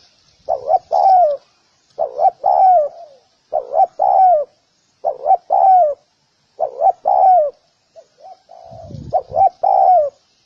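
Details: Spotted dove repeating its coo about six times, roughly every 1.5 seconds: two brief hoots, then a sustained downward-sliding coo; a short low rumble intrudes near the end.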